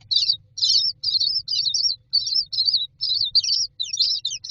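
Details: Common myna nestlings standing in a row in a nest box waiting for food, giving repeated high, squeaky chattering bursts, roughly two per second, over a low background hum.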